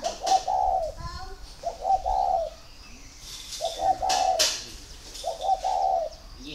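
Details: Spotted doves kept for breeding in Ba Vì, Vietnam, calling as they show readiness to pair: four rolling coo phrases roughly every one and a half seconds, interspersed with sharp clicks and light chirps.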